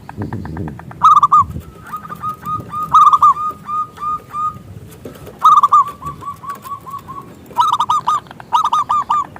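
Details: Local zebra dove with a big voice, song meant to lure other doves into singing: repeated phrases each opening with a loud bubbling trill and trailing into level coos, four phrases in all.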